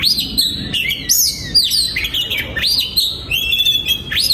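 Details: Oriental magpie-robin singing in a breeding aviary: a rich, varied run of whistled notes, swooping and rising phrases with some buzzy slurs, delivered continuously.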